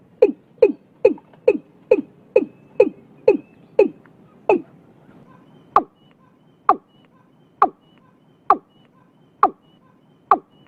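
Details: Watercock, called cúm núm in Vietnam, recorded early in the year; a series of low, hollow, descending booming notes, quick at first and then slowing to about one every second.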